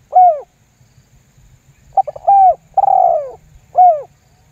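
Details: Spotted dove giving a lure call meant to make other doves answer, a series of mellow descending coos with brief stuttering notes and one longer falling coo, clean recording with faint low rumble.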